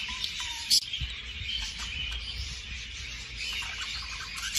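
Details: Soft, steady budgerigar warbling used to stimulate breeding, with one sharp, loud chirp near the start and light twittering continuing over a low background rumble.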